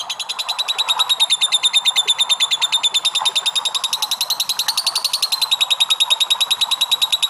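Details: Lovebird giving a long ngekek song: a rapid, unbroken chattering trill of high scratchy notes, about three per second, steady throughout with little variation.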